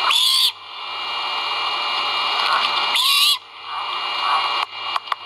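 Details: Great horned owl chicks at the nest during a feeding, from a live nest camera at Skidaway: two grating screeches about three seconds apart, followed by a few sharp clicks, against a constant hiss and low hum.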